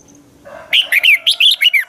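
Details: Red-whiskered bulbul, a caged lure bird in dueling song training to spur other bulbuls to sing: one loud burst of about seven rich, warbled whistled notes rising and falling, after a faint low murmur.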